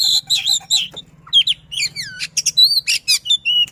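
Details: Caged Sisinga-style white-rumped shama producing a varied song of harsh buzzy notes, curved downslurred whistles and clear high tones, over a low steady hum.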